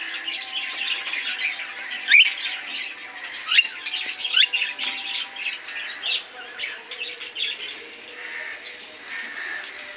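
Cockatiels chatter steadily, with sharp rising squawks and whistles breaking out above a dense flock babble.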